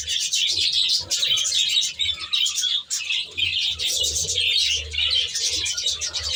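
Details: Budgerigars kept in an aviary reserve, a flock giving dense, continuous high chirping and warbling chatter with overlapping twittering voices throughout and brief dips in loudness.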